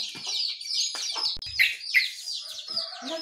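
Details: Birds singing in the morning, among them jongkangan, trucukan and pleci (white-eye); busy high-pitched twittering with sharp chips and a few louder bright notes standing out over the chatter.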